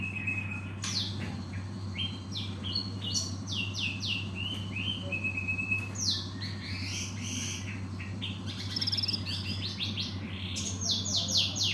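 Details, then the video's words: Gelatik batu, the cinereous tit, singing rapid clusters of sharp, high, downward-sweeping chirps interspersed with thin whistles, about four notes a second, above a persistent low hum. "Burung Gelatik Batu"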